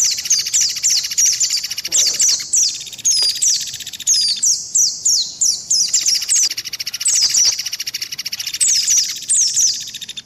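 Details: Long run of white-eye lure calls from a combined mix: dense, high, sharply down-slurred whistles in fast repeated phrases over a continuous buzzy trill, with brief pauses.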